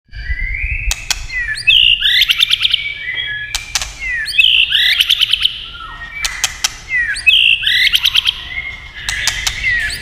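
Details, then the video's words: White-rumped shama singing, with tail-tapping clicks used to prompt song: loud whistled phrases with fluttering trills, about every two seconds, sharp clicks between them, low rumble beneath. "chòe lửa tạch đập đuôi cạch cạch kích thích chòe lửa hót"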